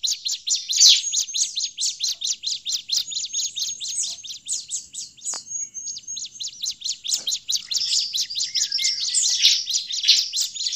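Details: Bar-winged prinia in agitated calling, used to lure prinias in forest: very rapid, steady run of high ticking chirps, about ninety pulses a minute in clusters, with a short click midway.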